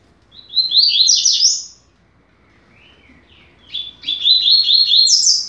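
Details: Coleiro teaching song in the quick 'rápido de bico' style: a brisk chattering phrase, a soft lower passage, then a longer rolling phrase climbing to a high ending.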